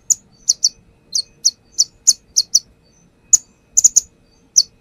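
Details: Konin, the brown-throated sunbird, singing while perched, its repertoire offered as a lure: evenly spaced, sharp high chirps, mostly single or in pairs, about two per second.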